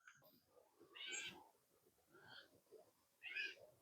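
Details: Gray Catbird in the reeds on the West Dike Trail, Back Bay National Wildlife Refuge, Virginia Beach, on a crisp autumn morning: three nasal, kitten-like mews, slurred and about a second apart, over a soft low murmur.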